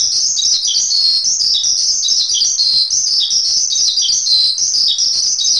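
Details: Javan pied starling (Gracupica jalla), song.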